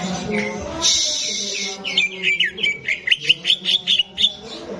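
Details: Greater green leafbird (cucak ijo) singing in a bird-contest arena: a hiss-like burst, then a rapid run of sharp, bright whistled notes, rising and falling, about four per second, with low crowd murmur beneath.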